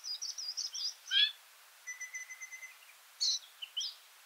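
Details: Varied sittellas in a feeding party near Kinchina and Mannum, South Australia; a run of quick high chattering notes, then a clear long whistled tone, later sharp chips, with a nearby Singing Honeyeater giving single notes.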